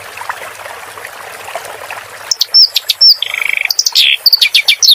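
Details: Clamorous reed warbler song for training cage birds, with water sounds added. Quiet rushing water comes first, then loud, varied song: sharp whistles, harsh chips and a brief fast stuttering trill.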